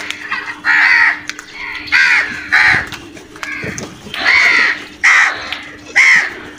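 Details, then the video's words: Several crows feeding aggressively, calling with short harsh caws roughly every second, in pairs and triplets, with a steady hum and occasional knocks. "Crows vocal and brutal attack on food"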